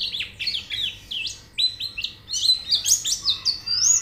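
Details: Training audio of a white-eye singing: rapid high-pitched chattering song of short swept notes and rising whistles, delivered in quick bursts about two to three per second, climbing higher near the close.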